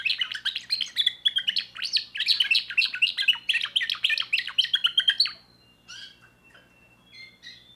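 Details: Timbrado canary, a young bird from 2024, pours out a fast rolling series of sharp chirped notes for about five seconds, then falls nearly quiet with a few thin scattered whistles.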